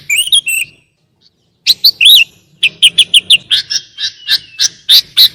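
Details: Sooty-headed bulbul master song with rich mimicked fill-in phrases, used as a lure and to train lazy-singing bulbuls: three sharp bright chirps, a pause, then a rapid run of clipped, buzzy high notes with a faint low hum.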